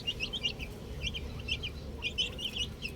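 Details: Chicks with a ball cheep in quick, high, sliding notes, several birds peeping together in rhythmic clusters over a low hum.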